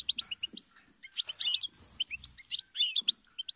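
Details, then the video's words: Goldfinch song: rapid twittering chirps and short whistled notes, quick high trills in busy bursts, with faint low rumbling underneath at times. "inspiring Goldfinch Chirps And Sing"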